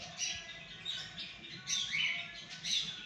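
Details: Alexandrine parakeet calling at 6am, a run of harsh, high squawking notes with short downward-slurred cries near the end, a person softly repeating a word alongside.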